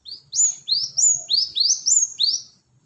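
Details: Cinereous tit (gelatik batu) lure call: a quick series of seven high, upward-sweeping whistled notes at about four per second. Each note rises sharply and ends bright, with a faint low hum beneath.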